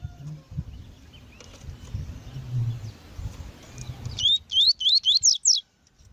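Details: Calling female coleiro tui-tui, a rusty-collared seedeater used by breeders to warm up males for pairing; after low rumbling noise, a fast burst of five bright rising-falling whistled notes lasting just over a second.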